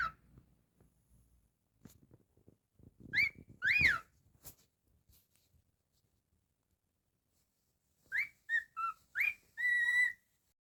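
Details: Pet cockatiel indoors while a person talks to it: a few soft clicks, then two loud rising-falling whistles, a pause, and a closing burst of short whistles ending on a sustained note.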